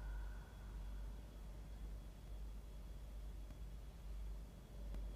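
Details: Steady low background hum with a thin whine and faint clicks, no animal voice heard.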